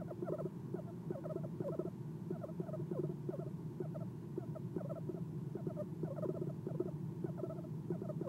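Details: Soft chirping from an Eastern screech owl sitting at a nest box perch at night, November 2016: rapid, uneven bursts of short chirps, a few notes each, over a steady low background drone.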